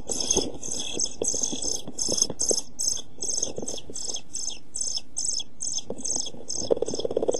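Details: European pied flycatcher nestlings, 11-12 days old, inside a nest box on 29 June 2013 shortly before fledging: a continuous rapid chorus of shrill, high, pulsing calls with rustling and thumping movement beneath.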